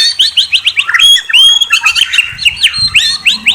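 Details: Murai, the white-rumped shama, delivering loud, rapid trills: quick repeated whistled notes sweeping upward, about four per second, broken mid-way by a longer clear whistle before the fast series resumes.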